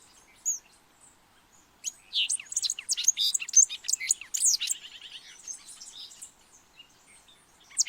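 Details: Fruterito picudo song from Colombia, used for calling birds: a fast jumble of high, sharp chips and twittering notes packed into about three seconds, with a buzzy trilled ending and quiet surroundings.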